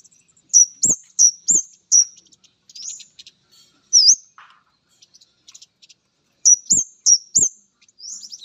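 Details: Male orange-headed thrush reacting on meeting a female: high, hooked whistled notes delivered in quick runs of three, repeated twice with a pause and softer scratchy notes between, plus low dull knocks under the louder phrases.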